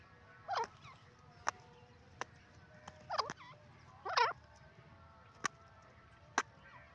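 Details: Francolin roaming free in the open, called teetar: repeated curling, wobbling harmonic calls at intervals of roughly a second and a half, interspersed with sharp knocking clicks, over faint steady tones.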